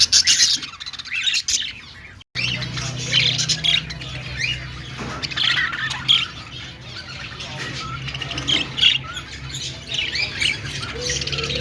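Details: Budgerigar singing and dancing: high chattering chirps and squawks, a sudden brief silence just after two seconds, then a long run of warbling chatter over a low hum.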